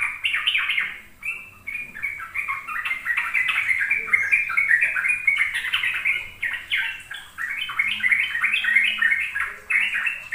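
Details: Sooty-headed bulbul in ropel song, played to help young birds learn: rapid, continuous chattering warble of stepped notes, briefly quieter around one second, then dense to the end.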